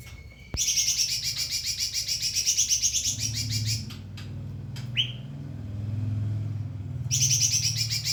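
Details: White-rumped shama song used to train other birds: long rapid trilled chattering runs, a short upward slurred whistle, then trilling again, over low hum.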